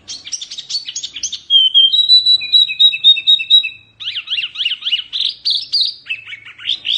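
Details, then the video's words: Oriental white-eye of the mini wambi type, a fierce-sounding song meant as a tutor recording for training birds: rapid high twittering, then steady whistled notes repeated in a row, ending with fast downward-slurred chips. "Kicauan OK wambi mini GANAS bagus untuk masteran"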